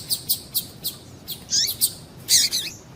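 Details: Rapid series of female double-collared seedeater calls, used to stimulate males to sing: about ten bright, high chirps in three seconds, some doubled or buzzier, ending in a louder cluster.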